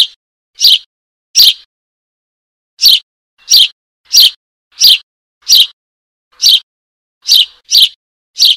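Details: Eurasian tree sparrow nestling calling for its mother: about a dozen sharp, scratchy chirps, mostly 0.6 to 0.7 seconds apart, broken by one longer gap early on and a pair in quick succession near the end.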